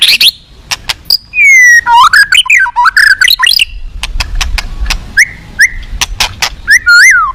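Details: White-rumped shama singing its rich, imitation-filled song at a contest: a loud swooping series of rising and falling whistles and squawky notes, then sparse clicks and short upslurred whistles.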